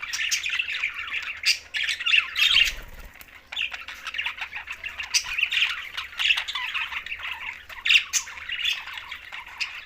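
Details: Green budgerigars at mealtime in Larkana, Sindh, chattering in a dense flock: overlapping squawky chirps and warbles with sharp peaks every second or so, plus a brief low thump near the third second.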